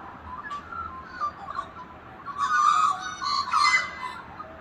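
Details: Australian magpies carol in the morning in Melbourne, in rich, fluting warbles with sliding whistled notes, swelling into a louder chorus over the last two seconds.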